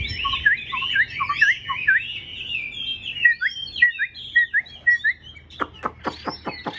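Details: A newly acquired caged Chinese hwamei, not yet in full form, sings a fast, varied stream of rich, slurred whistles that breaks into a quick series of sharp, rasping strokes near the end.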